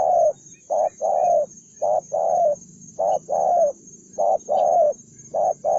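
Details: Spotted dove, a single newly caught wild bird described as aggressive and combative; gruff low cooing in short-then-long paired phrases repeated roughly every second, over a steady high-pitched whine and faint low hum.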